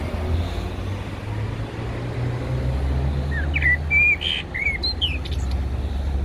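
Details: Eurasian blackbird singing at Heidelberg Castle: a short run of low fluted, warbling notes that climb and fall, followed by thin high twitters, over a steady low traffic rumble.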